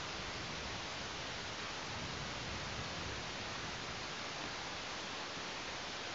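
Constant dense hiss like heavy rain or static throughout, with no animal calls.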